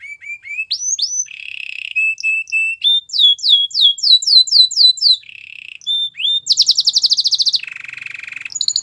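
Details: Canary singing intended to restart a silent canary's song: rising whistles, buzzy rolls, a run of quick descending-swept notes, then fast high trills and a lower rattling roll.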